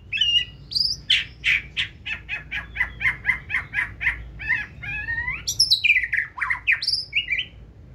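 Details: Caged white-rumped shama, 2024 season, delivering forest-style song: a fast steady series of buzzy clipped notes, roughly two per second, followed by high sliding whistles and chattering flourishes.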